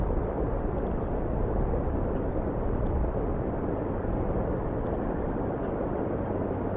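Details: Steady broadband rumble like wind or distant engine noise, with a few faint clicks and no animal voice.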